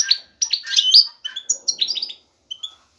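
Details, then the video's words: Male European goldfinch ready to mate, singing strongly to draw a female; quick bursts of high twittering and thin whistles, ending in a few isolated chirps. "ذكر الحسون جاهز, يبحث على الانثى للتزاوج"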